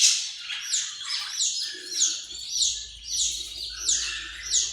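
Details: Australian parrot calling in a steady series of bright, scratchy chirps, about one and a half per second, each note sliding downward; faint low rumble underneath.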